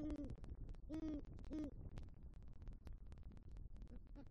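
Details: At night in a Southwest Florida eagle nest tree, a great horned owl, one of a pair visiting the nest, gives three deep, soft hoots in quick succession, then falls quiet amid faint background noise.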